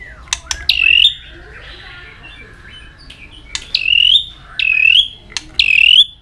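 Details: White-rumped shama in intense competitive song, tail flicking throughout: clear rising whistles bend upward, separated by sharp clicks and a soft drawn-out note, in a quiet setting.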